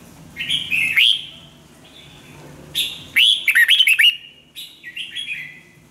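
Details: Red-whiskered bulbul singing in song training: a rising whistled phrase, a pause, then a fast run of six sharp bouncing chirps and a softer closing warble.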